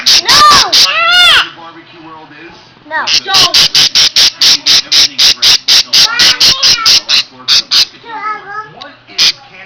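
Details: A pet parakeet sounds its alarm, as it does whenever someone gets close. It gives harsh, piercing screeches, about two per second in a long run, with a few whistled chirps, while a person exclaims in the background.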